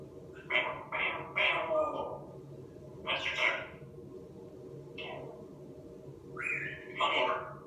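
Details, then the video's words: Talking African grey parrot, a pet said to know Aerosmith and love guitar, giving a run of short speech-like syllables, a pause, a further word, then rising whistled and spoken sounds near the end. "Best talking African Grey Parrot"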